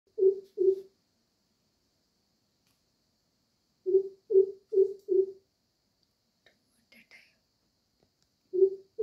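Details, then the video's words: Two greater coucals calling at a window, each making a different call: deep, resonant hoots in spaced runs of two, four and two notes, with a short faint chirp between the runs and no other sound. "Two crow peasants making two different calls at my window"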